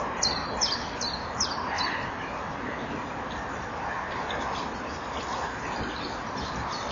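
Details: Male and female common kingfisher at a breeding-wall camera on 18 April 2013, 17:39, calling to each other just before mating. Five sharp, high, piercing whistled notes in the first two seconds, then fainter calls over a steady hiss.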